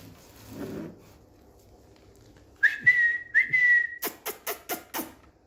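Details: Indian green ringneck parrot, a pet on a bed, whistles two level notes, each opening with a quick upward slide, then five sharp clicks or taps in quick succession.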